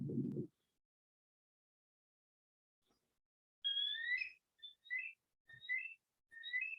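A Bald Eagle gives a thin, high piping call: a long two-part whistle followed by quick chittering notes over about three seconds, after a brief thump.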